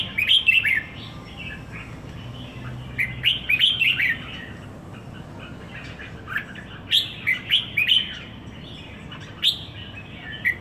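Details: Kept red-whiskered bulbul in Singapore, about a week in its owner's care, giving lively chirped phrases in several bursts, each a quick run of sweet up-and-down notes, with constant low rumbling noise underneath.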